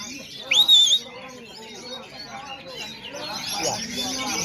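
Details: Oriental magpie-robin competing at a 2024 bird-song contest in Aceh, Indonesia: one loud, bright rising whistle lasting half a second, followed by a background of mixed bird chatter and men's voices.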